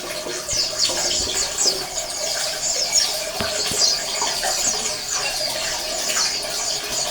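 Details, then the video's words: A colony of Oriental white-eyes, played to stir quiet males into song: a dense, continuous mass of high, thin twittering and rapid chirps, many birds overlapping without pause, with a faint steady background hiss. "SUARA PLECI KOLONI AMPUH MERANGSANG PLECI MALES BUNYI"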